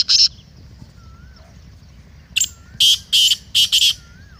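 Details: Black francolin call for playing to a kept bird to make it call: one harsh burst at the start, a thin whistle in the quiet middle, then a rhythmic series of loud, grating rasping notes.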